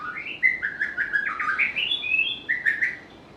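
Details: White-rumped shama, a bird described as having a melodious, varied voice able to imitate other birds, singing a rapid run of clear whistled notes that step up and down, ending in a few bright slurred phrases; background otherwise quiet.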